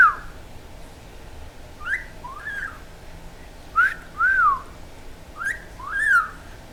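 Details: Whistled phrases from a pet talking Quaker parrot: a falling note, then rising chirps and a drawn-out arched whistle, ending with two upslurred whistles, moderately soft and clear.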